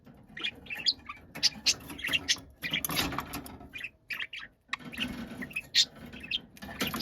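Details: Noisy budgerigar kept as a pet, angrily shouting: rapid chattering of squeaky, rasping chirps rising and falling in uneven bursts over a low room hum, pausing briefly midway.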